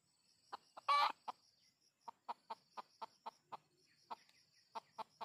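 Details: During luring of wild junglefowl, a few clucks are followed by a loud rough squawk, then a long run of crisp, regular clucks, against a continuous background of shrill insects.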